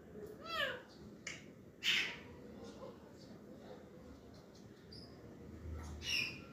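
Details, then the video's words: Green parakeets chattering produce a quick series of looping, harmonic chirps at the start, then a loud harsh squawk near two seconds, scattered faint twitters, and another bright squawk near the end. "Green parakeets are in Speaking 🔊 Mood"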